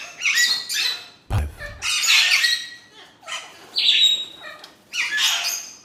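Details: Budgerigars bred for exhibition give harsh, raspy squawking bursts about a second long, spaced by brief pauses. One includes a thin whistled tone.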